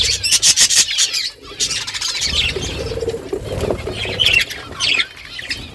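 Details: Budgerigar flock chattering on a morning: quick clicking pulses at the start, then mixed scratchy squawks and warbles with a faint low rumble in the background.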